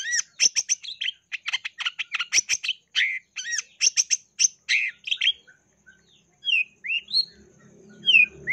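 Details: Long-tailed shrike singing a full mimicry-laden song, used as a lure for other shrikes: a fast, tumbling stream of harsh chirps and squeaks, then a quieter stretch of isolated upward-slurred whistles over a faint hum.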